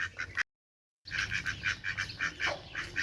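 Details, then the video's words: Loud duck quacks, short harsh nasal calls repeated rapidly, with a brief silent gap early on, then a steady stream of quacks from more than one bird. "Duck Quack Quack Cute Sound || Quacking Sound Of Duck || Ducks Quack Quack Loud Sound"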